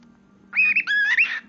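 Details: A pet cockatiel named Buddy talks, likely "pretty buddy", in a quick, high, nasal phrase of a few whistly rising and falling syllables, over a low steady hum.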